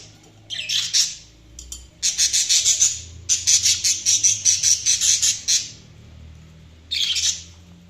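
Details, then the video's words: Budgerigars chirping in high, buzzy, scratchy bursts. A fast rhythmic run of about a dozen evenly spaced chirps lasts roughly three seconds, followed by a short pause and a final burst of chatter over a faint low hum. "Budgies Chirping sound"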